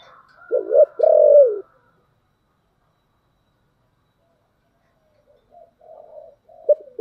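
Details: A spotted dove with a 'thổ đặc' voice calls to lure wild doves. A loud two-part coo, a short note then a long falling one, is followed by silence and then soft, faint cooing.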